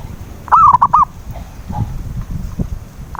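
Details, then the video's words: Zebra dove phrase serving as a lure for a silent dove: a warbled coo followed by three short coos, then scattered low rustling and soft noise, with a new phrase just starting at the end. "PANCINGAN SUARA PERKUTUT BISU"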